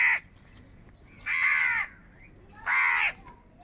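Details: Crows calling in anger while fighting for food: three loud rasping caws, the middle two long and drawn out, with faint high chirps of small birds between them.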